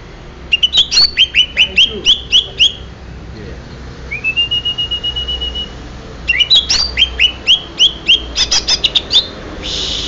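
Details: Greater green leafbird from Banyuwangi singing rapid bursts of sharp, clear chirps, about four a second, broken by one long steady whistle, then more quick chirping series.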